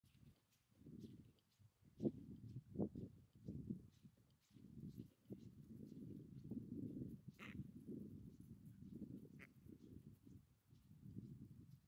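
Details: Adelie penguins on sea ice at Cape Hallett: low, throaty, pulsed braying bursts in an irregular rhythm, with a few brief higher squeaks mixed in.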